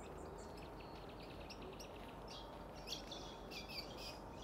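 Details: White-breasted woodswallows at Sandy Camp Wetlands, Brisbane, Queensland, in May 2023 give short, harsh chirping notes in quick, irregular bursts over a steady rumble of wind and distant background noise.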